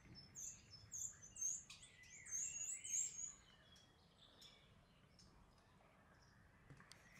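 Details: Spring courtship song of a common starling, opening with about three seconds of thin, very high chattering and rattling bursts that then fall away to quiet background with a few faint clicks.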